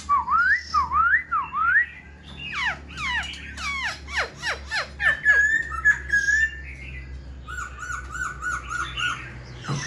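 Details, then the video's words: Captive Black-throated laughingthrush, tail fanned and wings lifted, sings indoors: three rising whistled upslurs, then a fast run of steeply falling sweeps, a held whistle and a quick series of wavering notes. "Khướu bạc má VIP đuôi xòe, múa cánh giọng cực hay"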